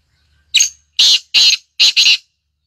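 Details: Black grouse giving five harsh, hissing bursts in quick succession, each a rough breathy rush, the last two nearly joined.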